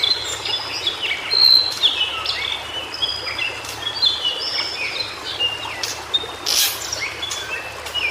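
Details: White-browed shortwing, known locally as cingcoang biru, singing in its natural habitat: dense overlapping high whistled phrases, quick slurred notes stepping up and down, with a steady background hiss.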